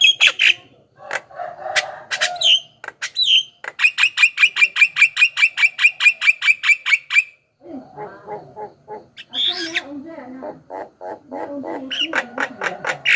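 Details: Javan myna song as a lure for wild birds: opening harsh notes and whistles, a long regular train of sharp repeated notes, then lower chattering squeaks and a final fast series.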